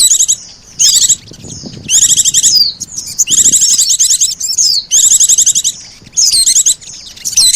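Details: Lure recording combining Oriental white-eye and sogon calls: loud blocks of high, rattling twitter alternating with thin falling whistles, repeated about every second.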